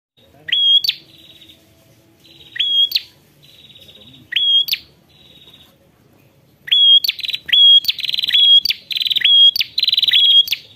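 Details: Ashy prinia calling a rival: sharp high notes, each with a short buzzy trailing tail, spaced about two seconds apart, then a faster, denser series of repeated notes over the last four seconds.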